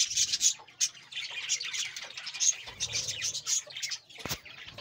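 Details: Budgerigars of a breeding colony, many birds chattering together in busy high warbles and squeaky chirps, with a sharp click near the end.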